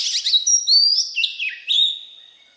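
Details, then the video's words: An Oriental magpie-robin in wild-type voice opens with fast chirps, then draws out long pure whistles that step down in pitch, ending with a sustained whistled note. "Chích Choè Than giọng rừng kích bổi"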